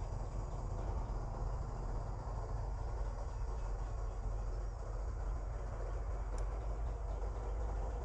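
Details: Steady low rumble like a passing train or heavy vehicle fills the recording, with no animal calls.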